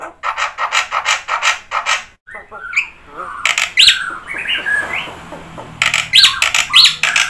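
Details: Black-winged myna in varied song with fill-ins: a run of harsh repeated notes, then a jumbled passage of whistles and chatter, ending in loud squealing bursts.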